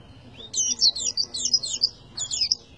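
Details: Oriental white-eye delivering a quick tembakan phrase: a steady run of high, sweet chirping notes sliding down and up, then a short second burst near the end.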